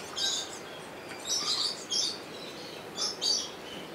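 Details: Captive rainbow lorikeet in Opole Zoo, caught with a Sony HDR-XR160E: four rasping, high-pitched screech bursts spaced unevenly, each a second or less, over quiet background hiss.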